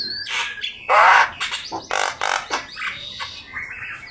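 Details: Javan myna singing in a master track for training birds: a loud harsh nasal squawk, rattling grating calls and a few thin whistled notes.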